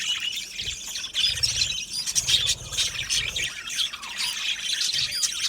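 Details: Australian budgies chirping in a colony aviary, busy overlapping squawks and high warbled notes, with a louder surge of chatter after the first second.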